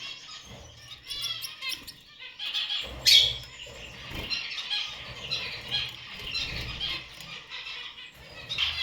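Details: A kept Gouldian finch: dense, high, scratchy chattering and squeaky notes that come in bursts, with a sharp louder squeak near the middle and soft low rumbling and fluttering underneath.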